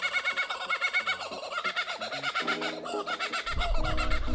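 A kookaburra cackles in rapid, rhythmic bursts of harsh, chuckling notes, with low music underneath and a rumble of wind or handling near the end.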